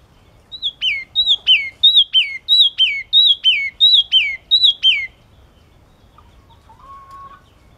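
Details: Yellow-cheeked tit singing a long run of about ten quick, sharp phrases, each a high whistle dropping into a buzzy downslurred note, repeated steadily for five seconds, then a faint thin whistle after a pause.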